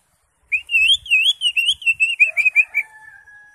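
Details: Greater green leafbird with raised crest, singing actively and rich in varied fillers, recorded for tutoring other songbirds: a rolling, wavering whistled phrase of quick linked notes, trailing into quieter steady tones.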